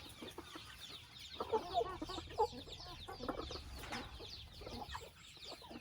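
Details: Chickens heard in their family house: a quieter blend of thin downward-slurred cheeps and mid-pitched clucking notes, with a few short clearer tones near the middle.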